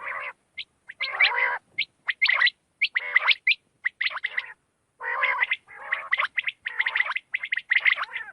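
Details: Quail calling at night, a dense run of harsh, gargling bursts with bright repeated notes, coming in clusters broken by short pauses across the recording.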